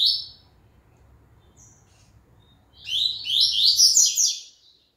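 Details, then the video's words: After the moult, a Double-collared seedeater sings: one brief high note, a near-silent gap, then a dense, loud burst of fast twittering, sweeping notes for over a second. "Coleiro IT voltando após a muda."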